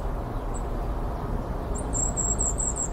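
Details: Wild goldcrest: one tiny high note, then a fast series of very high, thin repeated notes forming a brief trill, over constant low background noise.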